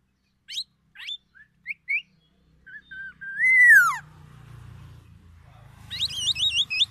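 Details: Black-naped oriole from Aceh, Sumatra, mimicking white-rumped shama: scattered short whistles, then a loud rising-and-falling whistle, ending in a quick looping warbled trill over faint background hum.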